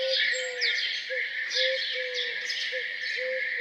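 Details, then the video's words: Birds singing in the morning around a farmhouse: sharp high chirps over low, clear whistled notes repeated about twice a second. "Relaxing sound of birds singing down on the farm"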